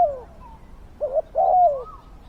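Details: Spotted dove used as a decoy for trapping wild doves: a brief sequence of low, round coos, one falling slur, a short pair, then a longer swelling coo sliding downward.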